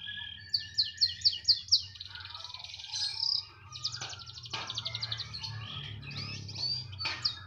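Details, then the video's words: Canary singing, said to stay in song wherever it is placed: a series of about six quick, evenly spaced sweeping notes, followed by buzzy rolls and dense high trills with brief sharp clicks. "Kenari *SPECIAL*,, mau di taruh di mana saja tetap gacor"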